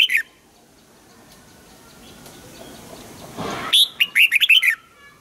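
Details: Red-whiskered bulbul singing a morning song during song training, aiming for a double-note wild-style song; after a quiet stretch and a brief rustling burst, a quick run of six bright, warbled notes ends the passage.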